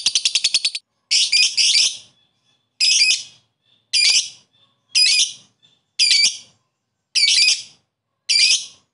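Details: Lovebird koek calling to a rival: a brief rapid chatter, then harsh buzzy squawks repeated roughly once a second, with faint thin whistles in the gaps.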